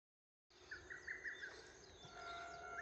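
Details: A lesser cuckoo at Sōgo-sandō gives a quick burst of about five sharp whistled notes, followed by faint steady tones and soft outdoor background noise.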